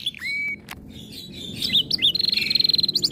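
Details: Canary in breeding condition, fiercer on hearing other birds: a clear sliding whistle, varied chirps, then a fast even high trill.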